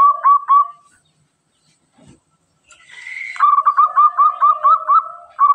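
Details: Local zebra dove in lively song: two hooked coos, a quiet gap with a faint tap, a brief rough note, then a steady string of bouncing, hiccuping coos repeated about twice per second.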